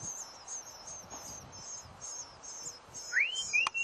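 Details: Hungry bluebird babies in a birdhouse in spring: thin, very high begging notes repeated in a continuous pulsing stream, with two clear rising whistles near the end and a sharp click.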